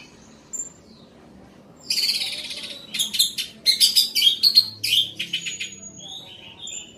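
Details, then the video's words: Orange-headed thrush giving loud song after a quiet start: a long sequence of rapid, very high, scratchy and whistled notes, pulsing in quick bursts, ending with thin trailing whistles. "Anis merah gacor volume keras"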